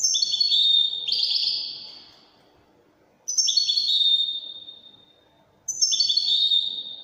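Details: Goldfinch singing in the Moroccan Wydani manner: three separate phrases, each a crisp, high twitter leading into a sustained, slightly buzzy whistled tone, with quiet gaps between.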